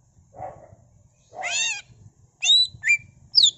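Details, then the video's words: Greater green leafbird in full, vigorous song laced with borrowed phrases, used to stir other leafbirds into singing: a low buzzy burst, a rich harmonic rasp, then sharp high whistled notes and a falling slur. "CUCAK IJO GACOR BONGKAR ISIAN NGENTROK PANCINGAN CUCAK IJO GACOR FULL ISIAN"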